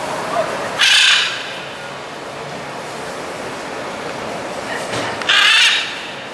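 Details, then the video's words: A blue-and-yellow macaw in the Los Palos Grandes neighbourhood of Caracas, Venezuela, on 21 July 2012 gives two loud, harsh, grating squawks about four seconds apart, over steady background hiss. "Blue-and-Yellow Macaws"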